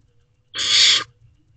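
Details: A single rasping, breathy screech about half a second long comes from wild barn owlets in a nest box around midnight in May 2023, given while siblings preen each other and wait to be fed. A faint low hum sits beneath it.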